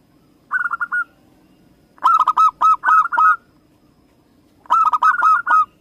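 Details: Indonesian local zebra dove giving loud, staccato trilled cooing phrases in three bursts of rapid repeated notes, the middle burst longest, against a quiet low murmur.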